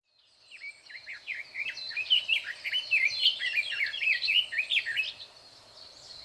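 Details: Red-billed leiothrix singing loudly from inside bushes, recorded 21 May 2024: a rapid, warbling run of slurred rising and falling whistled notes building in volume for about four seconds, then fading.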